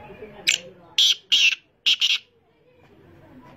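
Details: Black francolin, known locally as kala teetar, giving a grating, harsh phrase of five loud buzzy notes over about two seconds: a single note, then a pair, a pause, and another pair, with quiet surroundings.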